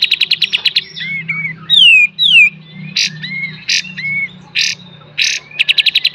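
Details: Kapas tembak singing full beset and tembak, a master song for training cage birds: quick chip runs at both ends, with descending whistled slurs, harsh noisy bursts and short flat whistles between them.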